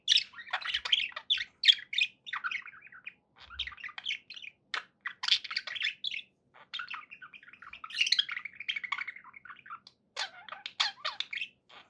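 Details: Domestic budgerigars keep up a nearly continuous twittering chatter, mixing quick chirps, buzzy warbles and rising whistled notes with only brief gaps, indoors and otherwise quiet.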